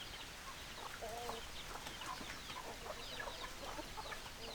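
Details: Chickens, hens clucking: short, soft clucks from several birds overlap and scatter throughout, with no clear crow, over a steady background hiss.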